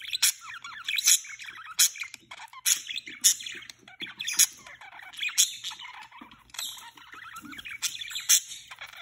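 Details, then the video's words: Two pet budgerigars during their first mating produce sharp clicking squawks every half second or so, layered over gurgling, rising and falling warbled chatter that carries on throughout. "Budgie first time mating|Parakeet mating for the first time"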